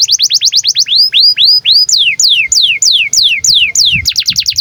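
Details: Canary in breeding condition, singing to train other canaries: fast high chirped notes, then slow rising upswept whistles, then a series of loud descending sweeps, ending in a rapid trill of short high notes.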